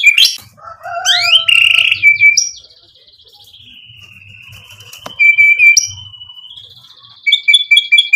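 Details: White-rumped shama singing to provoke rivals into replying: rich whistled notes and sweeping phrases at the start, a long thin sustained whistle, then sharp repeated chip notes; a faint low rumble underneath.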